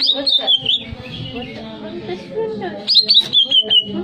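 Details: Greater green leafbird song offered to raise breeding arousal: bright whistled phrases slide downward in quick notes, one burst at the start and another near the end, separated by a quieter stretch of soft chattering.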